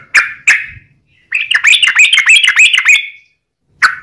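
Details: Yellow-vented bulbul singing in the long rolling 'ropel' style used as a lure for other bulbuls: two sharp chirps, then a fast rippling chatter of bubbly notes for nearly two seconds, and a final chirp.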